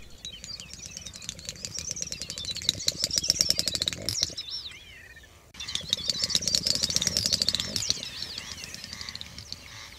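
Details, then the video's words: Great snipe lekking at night in central Russia: rapid dry bill-clicking builds into high, bubbling twitters and thin whistles, in two bursts split by a brief pause. "Ток Дупеля"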